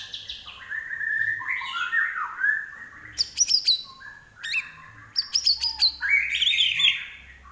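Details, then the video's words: Varied common iora song mixing drawn-out whistles around the middle register with bursts of quick high chips and trilled notes, continuing for several seconds. "larwo Gacor"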